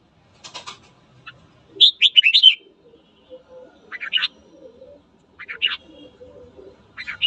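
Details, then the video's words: Red-whiskered bulbul morning song, meant to spur other birds to fight: one full rapid phrase of warbled whistles, followed by shorter sharp chirps from a second bird and soft background murmuring. "Luyện giọng chào mào hót sáng kích bổi đấu"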